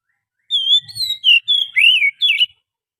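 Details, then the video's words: Lure song of a wild forest Oriental magpie-robin: six ringing whistled phrases, some falling and some with wavering ups and downs, ending on a twisting note. A faint low rumble is heard briefly near the start. "suara pikat burung Kacer asli hutan,suara pancingan kacer"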